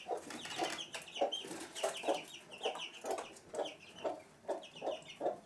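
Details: Domestic hen with chicks in a house room, Sandoval de la Reina, April 2016, giving a steady run of soft, low clucks roughly every half second, over a background of shrill cheeping from the chicks.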